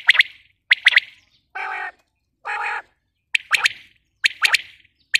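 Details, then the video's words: Female common quail (batair) giving crisp, clipped notes in tight clusters about once a second, broken by two harsh, buzzy, broadband bursts in the middle, with no other sounds. "Batair awaz | batair ki boli | quail sound | female quail sound"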